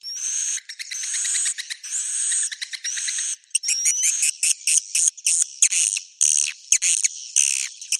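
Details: Roosting call of swiftlets in the Bhayangkari style: drawn-out buzzy bursts with a sliding whistle, then a quicker run of short clipped chirps and buzzes.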